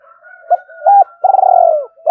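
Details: Spotted dove in 'thổ sấm' voice, calling to rouse a decoy dove: low steady hum beneath short coos, then a long throbbing coo that falls away at the end.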